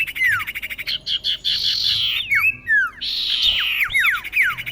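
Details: Common iora female calling to a male, used to lure birds: quick pulsed trills and harsh buzzy bursts mixed with sharp whistles that slide steeply downward, repeated several times.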